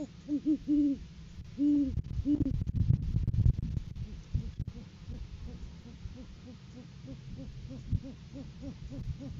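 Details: Courting-season great horned owls on a live cam, 7 January 2023, male offering a food gift to the female; several loud, rounded hoots open, interrupted by bumping noise, then a rapid, softer repeated series of short hoots follows.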